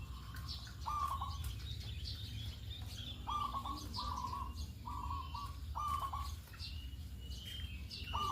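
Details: Zebra dove (local perkutut) lure song recorded in the morning, used to prompt others to answer. Short bursts of quick stuttering coos repeat roughly every second, against steady high chirps from other small birds and a low hum.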